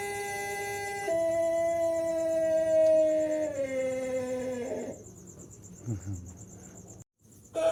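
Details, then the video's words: Young Pelung cockerel, six months old and learning to crow, sustaining a long level tone that sags lower and breaks into a rough, falling finish; quieter scraps of sound follow. "Ayam Pelung Usia 6 Bulan, proses suara kokok"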